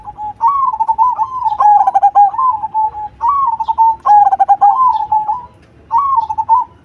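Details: Zebra dove of the black cemani variety sings a loud, full-voiced song: two rolling coo phrases with rapid stuttering beats and a drawn-out ending, separated by short pauses. Faint low hum underneath.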